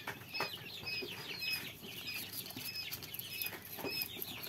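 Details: Young quail chicks peeping continuously: many short, high, slightly downslurred chirps overlap in a busy, uneven chatter, with soft scuffling sounds below.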